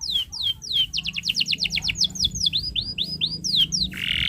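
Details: Tutor song of a canary for young birds: a steady series of bright descending whistled slurs, quickening into a fast run, then upturned notes and a closing buzzy burst.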